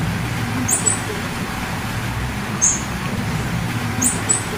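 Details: Female blue-black grassquit giving sharp, very high chips, three brief notes spaced about two seconds apart, over a steady low rumble of road traffic.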